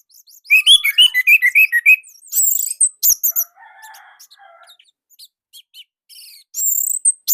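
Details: Indonesian orange-headed thrush singing a loud, compact song used as training material. Quick rhythmic chirp series, then a mix of lower buzzy notes and high whistles, with a final loud high phrase.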